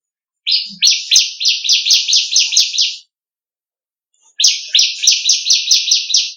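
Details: Sunda warbler song, used as a training model for magpie-robins: two bursts of rapid, high, buzzy trilled notes, each lasting about two and a half seconds, separated by a short silence.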